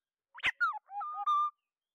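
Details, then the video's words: Single oriole phrase for calling the flock: a quick sharp onset, then mellow downward-slurred whistles and a steady held final note, in a clean quiet recording. "tiếng vàng oanh gọi bầy"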